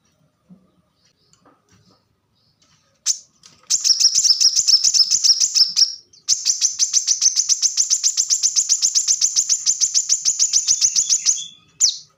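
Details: Plain-throated sunbird singing in the rapid tembakan rapat manner, recorded as masteran for captive birds: a wavering trill for two seconds, a brief break, then a long, steady rattle of about forty fast ringing notes.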